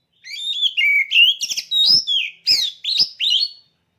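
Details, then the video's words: Oriental magpie-robin (kacer), a caged bird in contest-ready condition, singing a rich run of loud, varied whistled phrases. Sliding, rising and falling notes are broken by short harsh bursts, in one continuous strophe of about three and a half seconds. "Suara Burung Kacer Siap Gantang"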